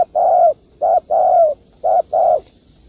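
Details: Spotted dove 'kích bổi' coos for trap luring, three rounded paired phrases: a short low note then a longer, softly falling coo, clean with no other sounds.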